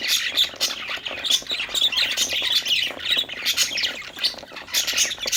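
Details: Happy budgies playing fill the air with nonstop chirps, scratchy squawks and warbling chatter from several birds at once.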